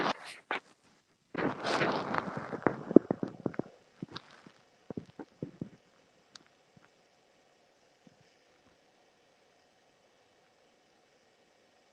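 Rustling, handling thumps and scattered clicks fade into near silence, with no animal voice.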